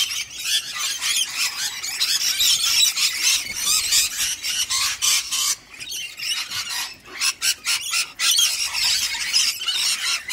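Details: Rainbow lorikeets, a pair guarding their food bowls and chasing off cockatoos, give dense harsh screeching and squealing calls that run almost continuously, with brief gaps near the middle of the clip.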